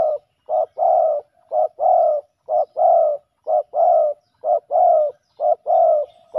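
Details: Male spotted doves fighting over a decoy on the ground give a steady series of paired coos, a short clipped note then a longer hoarse one, repeating about once a second.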